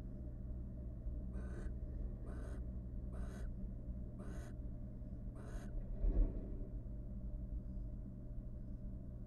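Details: Wild barn owl pair courting after raising three nestlings in a research nest box: five evenly spaced raspy screeches about a second apart, then a soft thump and rustle, over low hum.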